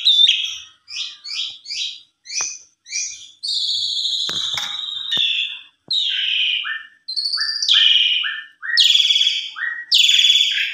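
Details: Javan pied starling singing, played as a lure to draw a singing response: short, chattering notes in quick groups, then a long, harsh, buzzy note and several rough phrases with downward tails, all high-pitched.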